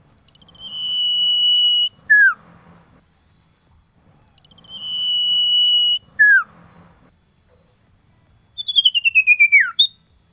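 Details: Male common iora (cipoh) calling a female in the cold season: a long, steady, pure whistle held for nearly two seconds, then a quick falling note, repeated twice, followed by a rapid pulsed descending trill; faint background hum.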